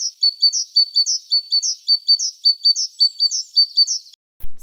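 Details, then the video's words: Great tit singing in winter, a resident bird that doesn't migrate: a bright, ringing two-note phrase, high then lower, repeated quickly about a dozen times without pause before a brief click ends it. "синичка дуже полюбляє співати взимку"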